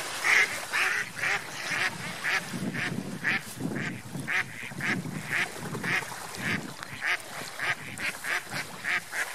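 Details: Ducks on lake water quack steadily, with raspy, nasal notes repeating roughly every half second for the whole stretch. A low splashing and water murmur fills the background.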